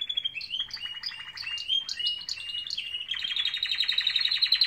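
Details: Canaries' morning song of repeated short, sharp downslurred chips over a rolling trill, changing into a fast, loud, even trill toward the end.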